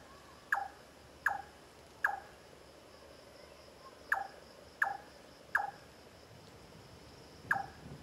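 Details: Large-tailed nightjar (Caprimulgus macrurus) in Singapore on 9 March 2014 gives sharp, hollow 'chonk' notes roughly every three-quarters of a second, broken by a pause, over a faint steady high insect hum.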